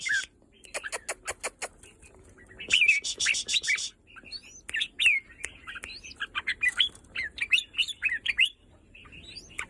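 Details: Red-whiskered bulbul song: a quick series of clicks leads into harsh buzzy rattles, then repeated bright, slurred whistles and chattering notes delivered steadily for several seconds.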